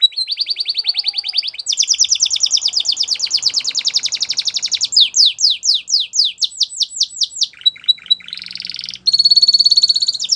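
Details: Canary song used for training young canaries: a long run of rapid trills, shifting from fast high rolls to slower sweeping downslurred notes, then a steady whistled tone and a bright chattering phrase at the end.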